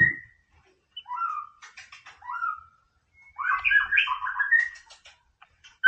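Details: A white-rumped shama sings to stir a rival: short mellow whistles, then after a pause a tumbling run of rich, slurred notes falling and rising.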